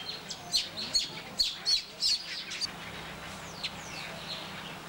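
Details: Brown babblers in Nianing, Senegal, give a burst of harsh, chattering high notes over about two seconds, then a few softer descending whistles.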